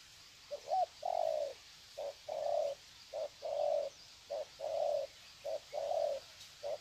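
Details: Trained decoy spotted doves exchanging greeting coos at Sê San on 21 February 2020; a steady series of soft low coos, short notes alternating with longer ones, about one pair per second.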